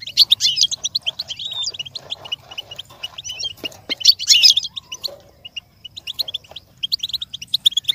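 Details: Goldfinch song played to stimulate imitation, a long run of rapid, metallic twittering notes with sudden dense bursts and a few sliding whistles, over a soft low background hum.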